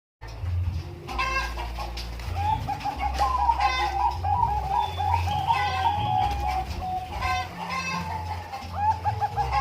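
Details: Bangkok-type zebra dove at Umbaran, a long run of mellow cooing notes held around one pitch, with short clipped phrases repeating through the recording, over low rumbling background noise and other bird sounds.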